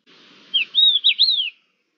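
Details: Thekla's lark singing, recorded 5 February 2022: one fluid phrase of high whistled notes that slide up and down in loops, lasting about a second against a quiet background.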